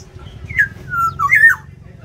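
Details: Black-naped oriole in an aviary during a territorial fight; a few clear, fluty whistled notes slide downward, with a short pause between the first note and a second pair.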